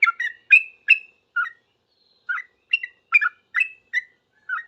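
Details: Sooty-headed bulbul answering other bulbuls with fast, noisy song: clusters of chortling whistled notes, a short pause near the middle, then more quick bubbly phrases in an otherwise quiet setting.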